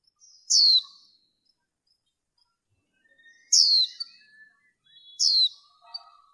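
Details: Female white-eye kept for bird training, calling to stimulate males: three sharp, high, downslurred notes spaced irregularly over six seconds, with faint soft twitters between them.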